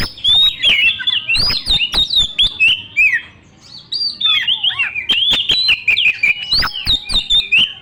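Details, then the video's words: Lure song of a white-rumped shama for young forest birds: dense whistles and harsh clicks, a brief quieter gap midway, then another energetic burst of varied phrases. "PANCINGAN BURUNG KACER MERANGSANG MUDA HUTAN NGEPLONG NGOTOT MUNTAH ISIAN"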